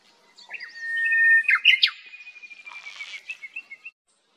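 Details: Japanese bush warbler singing in summer on a highland plateau at 1,800 m altitude: a long, steady whistled note, then a sudden explosive flourish, and a string of short, clear notes fading out.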